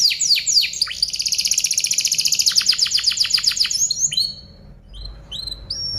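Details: Tutoring song of a canary, recorded for other birds to learn from. Quick descending whistles give way to a fast rattling trill that slows into pulses, then a few scattered high chirps with quiet gaps.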